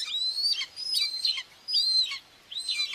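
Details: Two common buzzard chicks are being fed by their mother at a nest in Tiszalök, Hungary, on June 2, 2024. High, sustained whistles are heard, each ending in a falling slur. Four calls come in three seconds.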